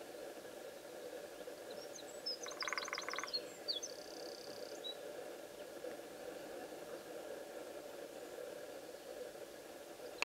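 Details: Territorial drumming of a lesser spotted woodpecker on the wood of a post, ESA de Castelo Branco, 16 February 2013: one brief, fast roll of taps among high-pitched twittering from small birds and constant background hum.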